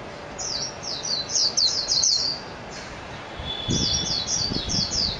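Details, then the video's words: Two separate phrases of quick, high, downslurred twittering from a Japanese white-eye, split by a brief gap, with some low thudding noise during the second phrase. "تغريد طائر ابيض العين الياباني ميجيرو"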